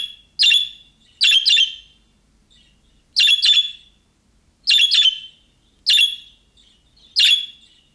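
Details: Young-budgie-style calls that prompt pet budgerigars to reply: loud, harsh, buzzy chirps, sometimes doubled, at irregular intervals of roughly a second, with clean quiet gaps.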